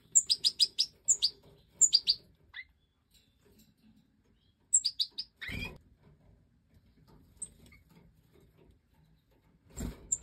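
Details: Captive-bred Major European goldfinch chicks, five fledglings just out of the nest, begging while the hen feeds them: bursts of thin, high, rapid chirps, then quieter stretches with soft chirps. Two loud thumping clatters interrupt.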